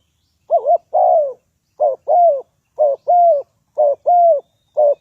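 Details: A spotted dove kept as a trapping decoy coos steadily, each phrase a short wobbling double note joined to a longer drawn-out falling hoot, repeated about once a second in a clean, quiet setting.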